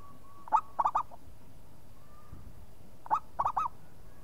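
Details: An active local zebra dove replies immediately with two phrases about two and a half seconds apart. Each is a lead coo and then a fast run of rolling, rising-falling coos, with faint drawn coos in between.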